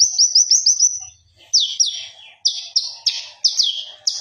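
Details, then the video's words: Konin, or common iora, in full gacor song used as a master recording: a fast run of thin high sliding whistles, then louder slurred downswept notes in pairs and triplets, with short pauses between bursts. "MASTERA BURUNG KONIN GACOR SAMPAI NGOBRA"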